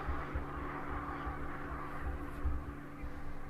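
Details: Steady low rumble and hum with a faint broadband hiss, like distant traffic or machinery, and no animal calls.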